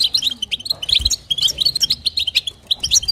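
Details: European goldfinch female calling to stimulate the male: bright twittering chirps and quick trilled notes, about five per second, some higher squeaky tweets, over a soft low hum.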